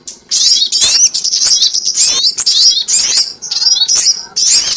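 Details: Trapping lure of a sogon: loud, high squeaky chatter in rapid bursts roughly every second, with sharp twittering notes and brief silences.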